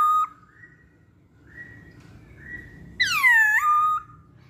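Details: Poksay Hongkong (masked laughingthrush) pancingan recording: mostly soft, steady whistled tones, then a single loud, rich whistle that sweeps downward and flattens into a held note.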